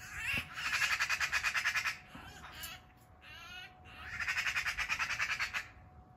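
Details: Rapid rattling chatter of a Eurasian magpie fighting off an attacking Eurasian sparrowhawk in a backyard, three meters away: two bursts of harsh, evenly pulsed squawks, many per second, separated by a softer grating call.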